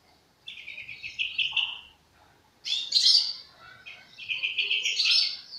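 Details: Young European goldfinch practising its song: two bouts of bright, twittering high notes, with a rapid trill of repeated notes in each, then a brief pause and a denser, buzzier burst of jangling phrases. The background is quiet.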